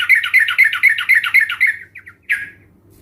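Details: Sooty-headed bulbul meant to stimulate other birds to sing: about eight evenly spaced bubbly notes roughly four per second, trailing into softer notes, then one harsher burst over a faint low hum.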